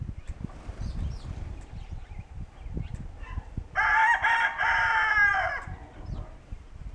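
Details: Homegrown Kencana hybrid rooster, an Ameraucana and Barred Rock cross, recorded crowing in the barn on January 26, 2013: one strong, full crow about two seconds long, broken into segments, amid soft shuffling and scratching.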